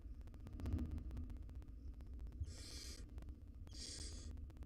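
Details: Wild barn owl mother feeding nestlings inside a nest box; after soft low shuffling, two loud noisy hissing screeches about a second apart over mains-like hum.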